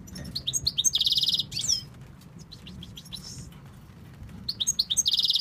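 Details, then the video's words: Goldfinch from Tunisia, a male coaxed by its keeper, gives high chirps leading into a harsh buzzy rattle, a rapid downward sweep, scattered soft notes, then another chirp-and-buzz phrase; faint low rumble underneath. "Chardonneret de la tunisie"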